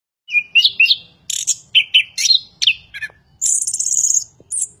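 A Chestnut-capped Thrush sings a fast, varied run of clear whistles and sharp chirps, ending in a dense, high buzzy trill and a final squeaky note.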